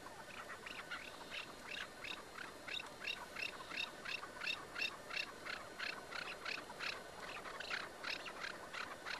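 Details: Caged chukar partridge (keklik) calling during a partridge hunt, filmed about eight years earlier. A long, steady series of sharp, chattering notes, roughly three per second, with faint background hiss.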